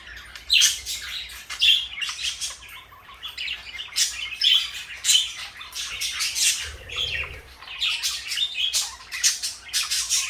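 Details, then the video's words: Two companion parakeets, one blue, one light yellow, give loud short squawks and high chirps in uneven bursts, with a brief low hum in the background around the middle. "Beautiful parakeets"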